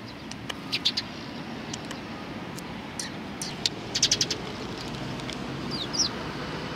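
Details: Sparrows at a Tenmangu shrine on 31 March 2020 giving scattered bright chirps, with a quick cluster of four or five notes near the middle, against steady low ambient rumble.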